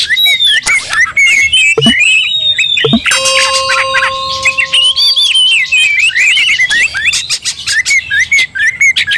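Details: Oriental magpie-robin in fighting mode, worked up and provoking other magpie-robins to anger. Rapid, varied whistled phrases and sharp chirps with dense clicking notes; midway, steady flat tones sound for about three seconds beneath the song.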